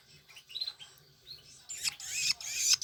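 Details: Hand-fed Long-tailed shrike nestlings from Banyuwangi competing for food: a few thin chirps, then loud raspy wheezing begging bursts, several in quick succession, rising in intensity.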